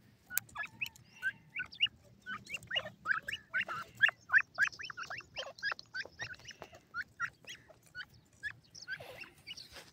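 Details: Francolin chicks kept and hand-reared, giving a busy stream of short, high peeps, some rising and some falling, in rapid irregular succession with little pause and a low background hum.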